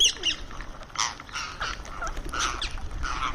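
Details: Indian ringneck parrot calling while eating at a daily terrace feeding: harsh, broadband squawks in short bursts about every half second, with faint chirps and low rumbling background noise.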